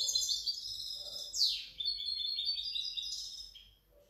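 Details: European goldfinch hybrid, 2019–2020, singing a high, bright twittering phrase with a sharp downward sweep near the middle and rapid jingling notes around it.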